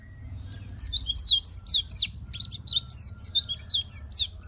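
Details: Caged white-eye singing as training material for other cage birds: a lively run of high, swooping chirps repeated in quick succession after a brief quiet start, with a low background hum.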